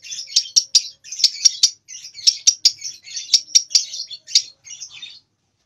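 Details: Young lovebird of two months learning its song, not yet able to hold it long; rapid chattering runs in short groups that end in silence after five seconds.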